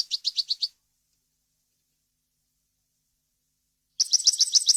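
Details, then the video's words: European goldfinch singing a clean, varied, wild-language song meant for teaching young birds and hybrids to sing; rapid runs of high, bright twittering notes repeated quickly, a pause, then a denser buzzy twittering trill; no other sounds. "غناء طائر الحسون ، صوت صافي وخالي من الاخطاء لتسميع الفراخ"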